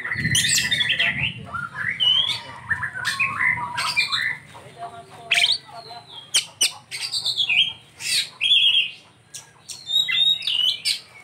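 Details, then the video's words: Oriental magpie-robin (kacer) singing a rich 'isian' fill-in song, described as super luxurious: varied whistled phrases, rising and falling notes, sharp clicks and chattering bursts, loud and close, with quiet low background hum. "Ini Die Burung Kacer Isian nya Super mewah"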